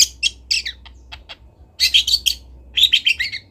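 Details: Local long-tailed shrike from Kendal, a master recording for training birds; varied scratchy high chirps in short bursts, some clipped single notes, then two dense chattering phrases, with a low steady hum beneath.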